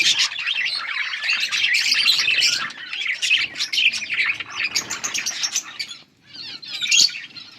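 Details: Several yellow budgies warble busily, a steady run of high twittering and chirps with clicky accents, fading briefly before a final burst of chirps.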